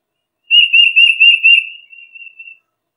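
A Tufted Titmouse gives a high, clear whistle that wavers in about five quick pulses, then trails off into softer notes; nothing else is heard.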